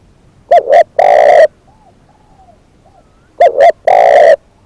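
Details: Decoy spotted dove giving two coo phrases roughly three seconds apart, each two quick notes then a long burry coo, with faint, gentle cooing from another dove between them.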